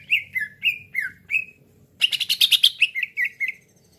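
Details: Cucak ijo lure for trapping: five loud slurred whistles alternating high and low, then a dense buzzy chattering burst ending in short whistled notes.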